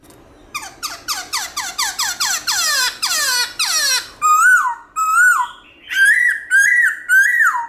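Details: A black-throated laughingthrush delivers varied forest-voice morning song. A quickening run of rich, descending slurred notes leads into a set of clear, drawn-out whistles that rise and fall.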